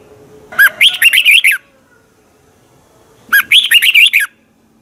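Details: Red-whiskered bulbul from Thailand, a training recording for singing birds: two bright, rapid phrases of five or six warbled, slurred notes, each phrase about one second long, separated by a quiet pause of nearly two seconds.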